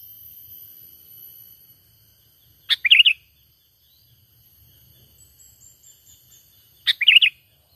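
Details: Natural trapping lure call of a sooty-headed bulbul, with no added birds. Two short bubbly phrases about four seconds apart, each opening with a sharp click-like note, then rolling liquid chirps, with near silence in between.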